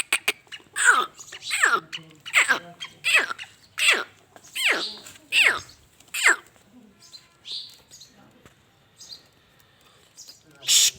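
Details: Black francolin (kala teetar) calling: a run of about eight loud, harsh, rasping notes, each sweeping downward, spaced under a second apart, then quieter scattered sounds and one final harsh burst.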